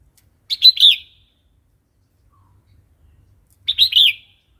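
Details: Red-whiskered bulbul singing in the wild song style used to train young and wild-caught birds: two short bubbly, warbled phrases about three seconds apart, with silence between them.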